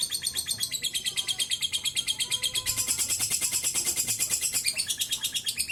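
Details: Lovebird in a long ngekek trill, a lure to make other birds sing: rapid regular high pulses that grow louder and denser partway through, then ease back.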